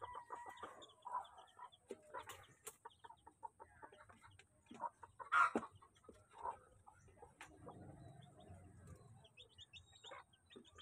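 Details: Domestic chickens, a crowd of chicks being fed, give irregular short peeps and soft clucking notes, mixed with sharp pecking clicks, one louder squawk near the middle and a low rumble of background noise.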